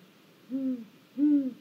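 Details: Great grey owl perched at a snag in Mission Valley, filmed by a live camera on 1 April 2022, giving two deep, soft hoots that rise slightly then fall, about half a second apart, in a quiet background.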